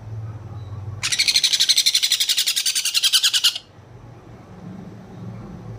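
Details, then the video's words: A sun conure chick gives a fast, raspy, pulsing burst of about twenty harsh notes over two and a half seconds, with a low indoor hum underneath. "sunconure chick sound"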